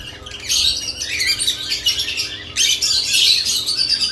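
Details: Lovebirds active around newly added nest boxes give dense, overlapping high chirps and squawks in two loud bursts, with a short near-silent gap at about the midpoint.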